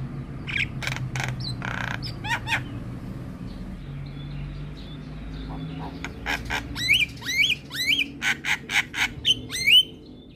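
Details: Caged Javan myna used as a master song for training: harsh buzzy bursts, then a quick run of rising whistled upslurs repeated about twice a second, over a low background hum.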